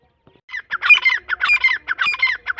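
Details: Grey francolin chicks of the dakhni irani type calling while being fed: loud, harsh squawking notes in a quick run, about eight in two seconds, each buzzy and slightly falling, against a quiet background.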